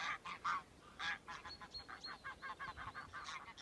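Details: Flock of greylag geese moving across farmland near Birgham beside the River Tweed; rapid series of hoarse honking calls, roughly two per second, overlapping voices from several birds at medium distance.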